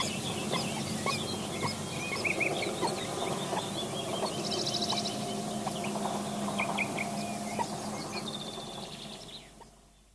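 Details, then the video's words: Advanced Eurasian hoopoe nestlings keep up a dense, harsh, rapid begging chatter of about four notes a second as they are fed, while adults give rasping alarm calls, with chaffinch and other songbirds behind. "Hoopoe. Advanced Nestlings Being Fed, Adults Give Alarm Call."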